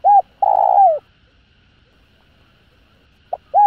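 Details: Spotted dove stimulating call meant to rouse other doves: a brief hoot and a long, buzzy coo dropping in pitch, then a pause before the next phrase begins with a short pip.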